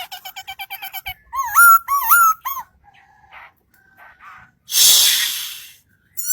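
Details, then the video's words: Singing bird: a quick rattle of short chirps followed by three loud, rich wavering whistles, then faint notes and a sudden burst of hissing noise near the end. "Singing bird"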